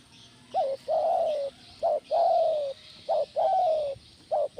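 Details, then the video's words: Spotted dove cooing, played as sound therapy to get other doves calling: two repeated phrases, each a short sharp note followed by a long, slightly falling mellow coo, with a steady faint background hiss. "Tekukur Mana Yang Nggak Gacor Dengan Terapi Suara Tekukur Joss ini"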